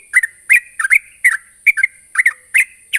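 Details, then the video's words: Sooty-headed bulbul, vocal and calling a rival, delivering loud paired chirps about every half second, each pair a quick up-and-down tweet, with a steady high whine in the background. "suara burung trucukan gacor memanggil lawan"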